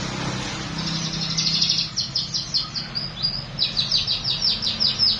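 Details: Baya weaver with learned canary song, delivering rapid high chirping trills in two bursts over steady background noise and low rumble.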